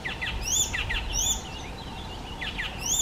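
Icterine warbler song: a rapid, varied jumble of high whistles, chattering notes and sharp upslurred squeaks, with borrowed phrases mixed in, over soft background noise.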